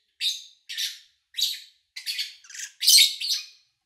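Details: Pet lovebirds recorded in August 2019. Single raspy, squawky chirps sound roughly every half second in a clean, quiet setting, ending in a louder grating note.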